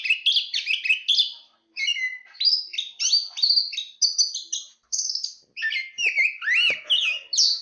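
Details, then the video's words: Song of a chestnut-capped thrush: rapid stream of varied whistled and chattering phrases, high notes mixed with mid-pitched slurs, rising and falling sweeps, brief pauses between phrase groups. "Suara Kicauan Burung Terapi Anis Kembang Ada Suara Angin"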